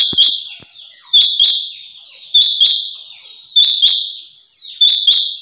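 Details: A female rain quail, used as a call to lure males into nets, gives sharp, high, paired notes repeated about every second and a quarter against a quiet background.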